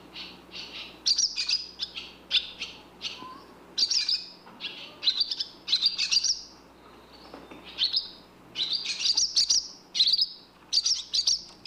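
A barn swallow chirps in quick, high twittering bursts, short runs of bright notes repeated every second or so, with a faint low hum beneath.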